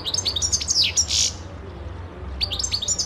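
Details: Song of a European goldfinch from 2011, a burst of liquid twittering and a harsh buzzy note, a quiet gap, then more sharp tinkling chirps; low steady hum underneath.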